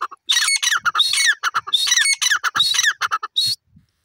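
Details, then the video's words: Grey francolin, known locally as irani teetar, giving a loud, shrill burst of harsh, rapidly repeated notes with sliding upward and downward inflections, ending abruptly after about three and a half seconds. "irani teetar ki lovely awaz lovely voice"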